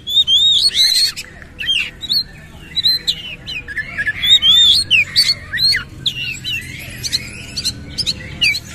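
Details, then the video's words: Kacer, the Oriental magpie-robin, singing hard with rough fill-in phrases and fanned tail: loud bright whistles and twisting slurs, then a long stretch of fast scratchy chatter and sharp repeated notes. "KACER GACOR BONGKAR ISIAN KASAR BUKA EKOR"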